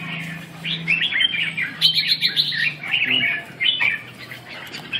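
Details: Red-whiskered bulbul practising song, recorded 2/6/2012: lively warbling phrases of quick slurred whistles, pausing briefly and resuming, over a faint low hum.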